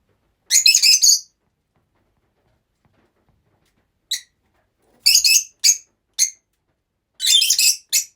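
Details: Several rosy-faced lovebirds kept together give loud, harsh, stuttering screeches in separate bursts of up to a second, with single sharp chips between and silent gaps.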